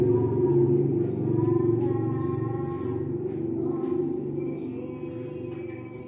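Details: Hungry young munia, found behind a house and being hand-fed, begging: rapid bursts of thin, high squeaky chirps, several per second, then a few longer whistled notes, over loud steady music.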